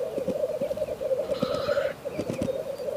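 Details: Black grouse in a frosty landscape, the bubbling coming in pulsing waves, with a faint drawn-out higher note in the middle and soft thuds beneath.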